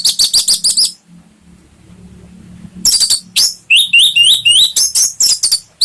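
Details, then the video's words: Orange-headed thrush song used as a lure to prompt a caged bird to sing: loud, high, rapid bursts of sharp chirps, a pause near one second, then buzzy rising whistled phrases repeated quickly. "SUARA BURUNG ANIS MERAH ¦ PANCINGAN NGEPLONG"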